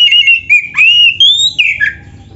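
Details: White-rumped shama (kacer) song in a loud, energetic 'gacor' style used as a training master: clear whistled phrases sliding and wavering, rising then dropping sharply, with short buzzy notes between.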